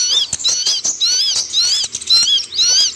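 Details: Sunbird known locally as kolibri ninja, a cage bird in Indonesia: very high, thin arched whistles repeated about twice per second, with sharp clicking notes between them.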